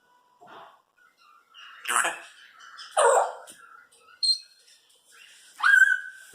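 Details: Four-year-old female Congo African grey parrot, a pet said to talk a lot and make sound effects, giving scattered short voice-like squawks and syllables, then a clear whistled tone near the end, with quiet gaps between bursts.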